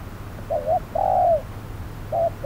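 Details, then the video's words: Spotted dove decoy during trapping on a hot noon: a quick wavering coo, then a long smooth drawn-out coo, followed by two shorter coos, low and hollow over a quiet background. "Bẫy cu gáy 10 // Mồi VR001 gặp phải con Bổi quá khôn"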